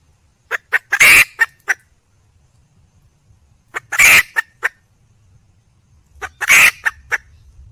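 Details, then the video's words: Wild red junglefowl female calling to a male. Three bursts about three seconds apart, each a loud raspy squawk wrapped in a few short clucks, separated by quiet gaps. "le bruit d'une poule sauvage,เสียงไก่ป่าร้องหาถู่หาตัวผู้,ສຽງໄກ່ປ່າຮ້ອງຫາຄູ່ຮັກ, poj qaib qus see"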